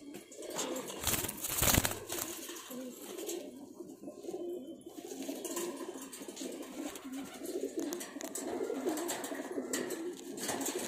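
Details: A pigeon pair gives a steady low cooing throughout, broken near the start by a loud, sharp rustling burst, with noisy background throughout.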